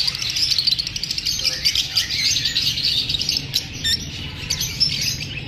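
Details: A flock of lovebirds made uneasy by filming keeps up a constant shrill twittering, sharp clicks and tweets layered over one another with little pause.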